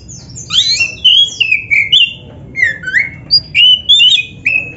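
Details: Black-breasted Oriental magpie-robin song used to coax caged birds into singing: a rich run of varied whistles, slurs and quick chirps, rising and falling phrases tumbling one after another for nearly five seconds, low steady hum in background.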